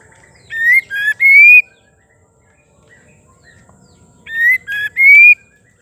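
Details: Female white-rumped shama singing, a sound used to rouse males into song: two loud whistled phrases, each of short bright notes ending in a long rising whistle, separated by about three seconds of quiet.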